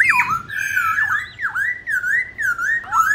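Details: A white-browed laughingthrush singing in a contest with many voices, giving loud, rich whistled phrases that swoop down and back up about every half second, in a nearly unbroken, varied stream.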